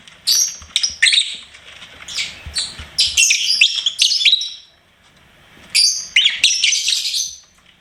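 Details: Shrill bursts of chirping from a pet lovebird, scratchy rapid notes in two long runs separated by a quiet second-long gap.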